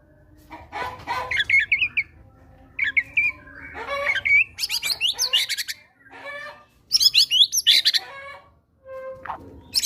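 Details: White-rumped shama in captivity, fighter type, performing gelatik batu material as a lure for quiet birds: a busy jumble of harsh chattering, squawky notes and high whistles over faint background hiss, with brief gaps.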